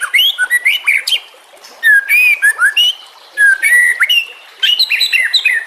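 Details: Master recording of a White-rumped shama for tutoring songbirds: loud varied whistled phrases with sharp upslurs and downslurs, separated by brief pauses, rich in high harmonics.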